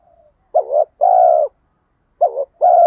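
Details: Luring coo of a spotted dove meant to provoke wild birds: two phrases, a short quavering note then a long, even, low hollow coo, separated by silence.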